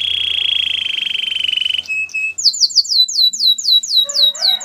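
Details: Canary training song for other canaries: a long low buzzy rolling trill, a short break, then a series of bright downslurred whistles repeated about three times a second.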